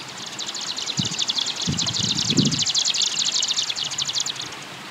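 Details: Japanese swamp warbler singing in song flight: a dense, fast, high-pitched ticking run of short buzzy notes, about twelve per second, running without pause through the whole five seconds. Low thumps and rustles come in around the middle.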